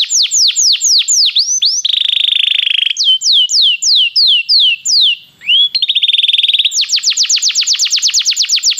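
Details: Belgian canary singing to warm up other canaries: repeated downslurred whistles, a brief buzzy trill, more slurred notes, then a dense run of quick repeated whistled notes.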